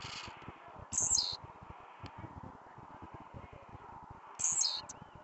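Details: Agitated blue-black grassquit singing at night: two brief, high, sharply descending buzzy phrases roughly three seconds apart, with constant low rumbling noise behind.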